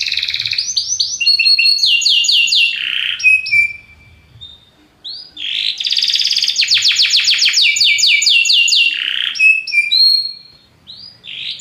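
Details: Belgian canary singing powerfully in two bursts: rapid descending sweeps and whistled slurs, a short silence, then a loud pulsed trill and further slurred phrases.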